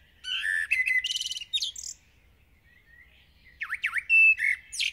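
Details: A village blackbird sings hard at dawn. Two verses are heard, each a mellow fluted phrase that breaks into a high, thin twittering flourish, with a silent gap between them.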